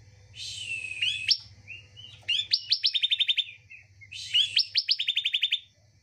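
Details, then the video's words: Bar-winged prinia song played to coax a caged bird that is reluctant to sing: buzzy broadband notes followed by quick runs of sharp, evenly spaced chirps, given in two phrases, over a faint low hum. "Terapi / Pancingan Ciblek Malas Bunyi"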